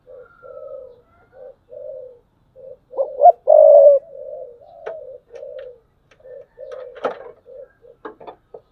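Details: Decoy spotted dove cooing in the 'thúc bổi' style, recorded in 2022: a series of soft, low hooting coos, then a louder throaty burst near the middle and more soft coos with scattered clicks after.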